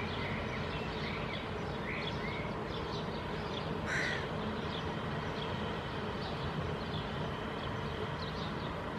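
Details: Hooded crow (Corvus corone cornix) fledgling on mossy rock in Helsinki, Finland, June 2022, preening and giving a few short, hoarse calls, one louder and harsher near the middle, over steady low rumbling background.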